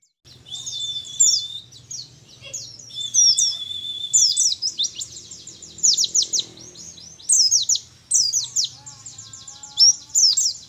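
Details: Mountain white-eye from Mount Ciremai, Majalengka, West Java, a young wild-caught bird in its first month of song training, starting on 'nembak' phrases: long bursts of very high, rapid downswept chirps and twitters, with steady sustained whistles woven between them.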